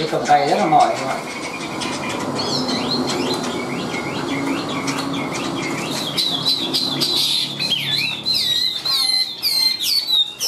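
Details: Chinese hwamei kept as a hand-tamed cage bird, its song building from faint notes beneath murmuring background noise into a loud sequence of quick repeated whistled loops and sharp chirps in the second half.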